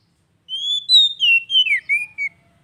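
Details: Oriental magpie-robin phrase used to coax a quiet bird back into song: a smooth rising whistle, then several falling, slurred whistled notes ending in a short downslur.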